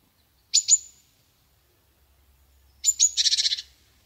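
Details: Chickadee giving two sharp, very high introductory notes, a pause of about two seconds, then two more high notes followed by a quick series of about eight buzzy 'dee' notes; no other sounds.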